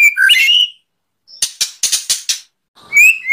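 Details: Kretekan white-rumped shama, full 'shots' meant to provoke, dated 24 January 2023: a brief twisting whistle, a pause, five rapid harsh cracking notes, then another clear whistle after a silence.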